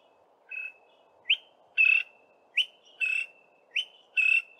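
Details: A male Greater Honeyguide (Indicator indicator) in southern Africa sings from a song post to advertise itself or attract a mate: a ringing two-note 'vic-tor', a sharp upslurred note then a longer buzzy one, repeated about every 1.2 seconds over a low hum.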